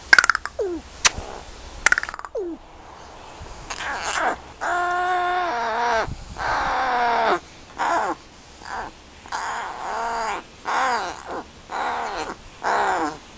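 An American crow gives drawn-out, nasal, moaning calls that arch and fall, about one each second, after a few sharp clicks and knocks indoors.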